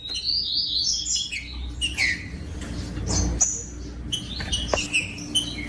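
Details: Green-winged saltator song used to warm up and stimulate other saltators to sing: loud whistled phrases sliding downward, with sharp clicks and overlapping chirps from other birds and a low steady hum beneath.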